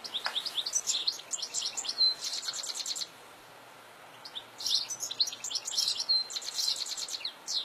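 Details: European goldfinch in the wild over fields, singing dense, fast, high twittering phrases with tinkling trills, a one-second pause midway, then a sustained energetic second phrase.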